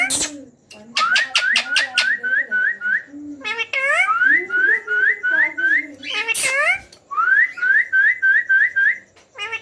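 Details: Rose-ringed parakeet chicks calling while being fed: rapid runs of brief rising whistled notes, roughly four each second, broken by harsh screechy bursts and lower warbling tones.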